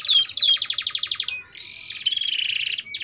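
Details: Canary song for training juvenile canaries: two descending whistles, a pulsing rapid trill, then a steadier rolling buzz with a short level whistle.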